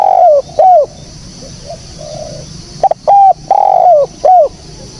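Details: Spotted dove calling, recorded clean for use as a lure in bird trapping: loud, mellow descending coos in short groups, each note sliding downward, with a quiet gap mid-phrase and faint background hiss.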